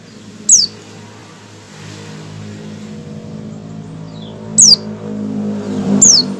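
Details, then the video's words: White-eye giving its ngecal opening call before singing: three thin, high whistled notes sliding steeply downward, spaced several seconds apart, over a steady low hum of passing vehicles. "suara awalan pleci ngecal sebelum ngalas"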